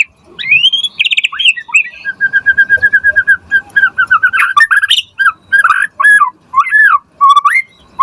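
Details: White-rumped shama singing as a tutor for kept birds. Whistled phrase, then a long run of evenly spaced short notes, followed by looping, up-and-down whistles repeated about twice per second.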